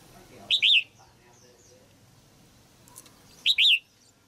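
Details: Female red-whiskered bulbul in a cage, singing to excite a mature male: two short phrases about three seconds apart, each a pair of quick, bright, wavering whistles, with faint background noise between.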